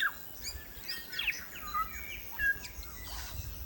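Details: Native New Zealand bellbird, or korimako, in forest: scattered bright whistles, short downslurs and sustained tones, loosely spaced, over a soft hiss of background noise.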